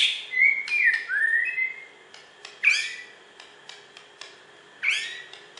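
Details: White-rumped shama of the Borneo form, a champion songbird from West Kalimantan, Indonesia, singing clear whistled phrases, some sliding downward, followed by sharp rising upsweeps and scattered clicks between phrases.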